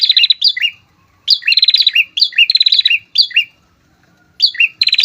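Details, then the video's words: A visiting pair of prinias in full song, used as a lure for other prinias: loud, rapid, high metallic chattering bursts of quick down-slurred notes in rhythmic phrases with short pauses. "PRENJAK TAMU SEPASANG GACOR, COCOK UNTUK MEMANCING PRENJAK BUNYI, MEMIKAT LAWAN"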